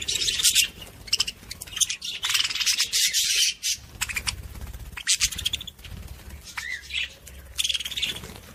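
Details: Budgerigar warble to stimulate other budgies, loud scratchy chatter and rapid squeaks in irregular bursts, with a few rising whistled notes near the end.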